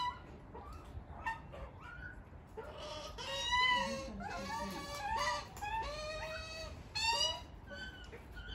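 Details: An Australian white-backed magpie family at a back door begging for food: harsh, nasal, wavering squawks, several overlapping in bursts every second or so, with quieter calls and faint background noise between.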